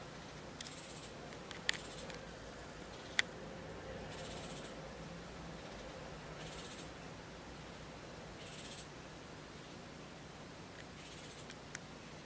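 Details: Three fledgling hooded orioles being fed insects and regurgitated food by an adult female in a yard near Santa Barbara, California, in August 2013. They give almost non-stop short, buzzy, high chattering bursts about every two seconds, with sharp clicks over a low hum.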